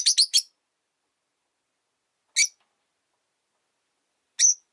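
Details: Rosy-faced lovebird, a single caged bird after its partner died: three quick shrill chirps in a row, then two isolated sharp chirps about two seconds apart, with silence around them.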